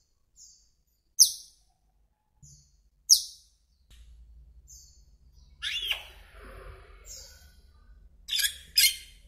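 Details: Asian glossy starling giving sharp, high, metallic chirps, spaced irregularly with single and paired notes separated by short silences, plus a low rumbling background noise in the second half.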